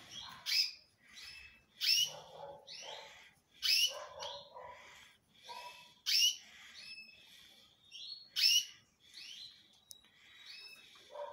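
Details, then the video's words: A male canary sings strongly in lively, repeated phrases. Bright clipped chirps return roughly every two seconds, mixed with whistled glides and a few lower, buzzier notes, and a thin steady tone appears toward the end. "UM AMIGO MEU QUÊ ENTENDE DE CANÁRIO QUÊ MACHOS ME FALOU CANTA BEM FORTE"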